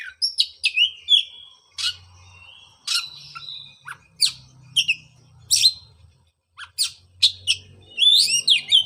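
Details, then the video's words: Oriental magpie-robin song played to coax a bird that stopped singing after moulting: scattered sharp chirps and short whistled slurs, some buzzy notes, with gaps between phrases and a faint low hum beneath. "pancingan suara untuk terapi burung kacer"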